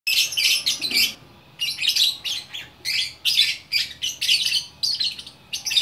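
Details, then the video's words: Lovebird singing in a chatty, continuous style called gacor orkestra, in Bukittinggi, West Sumatra. Dense bursts of shrill, scratchy chirps and twitters about a second long, with short pauses between them. "Burung Lovebird Gacor Orkestra"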